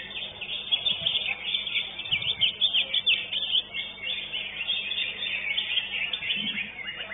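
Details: Greater green leafbird singing at a bird-song competition in an arena and winning first place. Rapid, high, twittering warbles pour out almost without pause, with faint low thumps and murmurs in the background.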